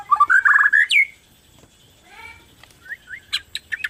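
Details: Caged Bornean white-rumped shama singing to provoke other shamas: a rapid warbled run climbing to a sharp high whistle, a pause, then short upslurred notes and quick high chips.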